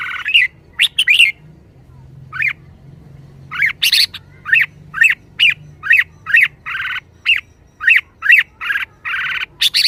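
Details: Caged red-whiskered bulbul showing liveliness with a long, fast series of sharp chirps and harsh buzzy squawks, roughly two per second, loud and energetic.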